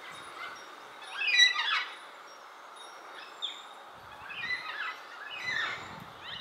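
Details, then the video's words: Several Baudin's black cockatoos calling to each other at Narrikup on 12 January 2022 give harsh, rasping, drawn-out calls in two loud bursts a few seconds apart, overlapping over a soft background hiss. "Baudin's Black Cockatoos"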